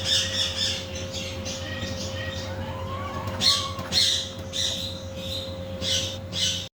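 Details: Macaw parrot repeating raspy, broadband squawks nearly twice a second at times, uneven in rhythm, with a faint gliding whistle midway; low hum and a steady tone sit underneath.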